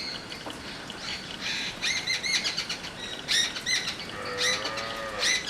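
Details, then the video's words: Jungle babbler chattering: clusters of harsh, squeaky repeated notes, with a cow lowing near the end. "The call I Jungle Babler"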